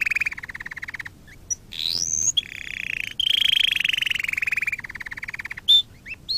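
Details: Training song for canaries: a canary delivering a mid-high pulsed roll, a rising whistled sweep, then a long sustained buzzy trill that slowly drops in pitch, ending with sharp short chips.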